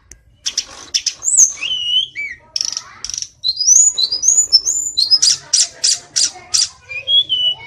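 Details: Tledekan gunung singing a fast, varied song of high thin whistles, sharp chips and slurred notes, with bursts of loud buzzy strokes near the end.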